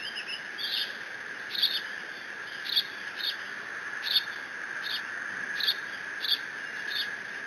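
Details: Bald eagle nestling at Decorah, the only chick present when its father drops off a fish on 30 June 2017, mantling it and calling: high, brief squeaky notes repeated roughly every half to one second, steady electrical hum underneath.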